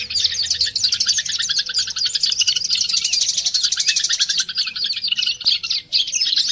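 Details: Oriental white-eye, as a lure to get birds singing, giving a fast, continuous stream of high, thin twittering notes, several birds seemingly overlapping in a dense chorus.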